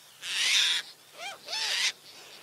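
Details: A burst of rushing noise followed by two arched, mewing gull cries.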